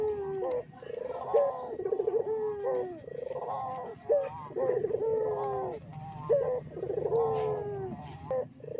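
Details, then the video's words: Barbary dove calls serving as a lure to provoke other doves: repeated rolling, throaty coo phrases with sharp rising accents, continuous overlapping cooing for nine seconds. "PANCINGAN BURUNG PUTER GACOR!!! BURUNG PUTER MANA SAJA PASTI EMOSI"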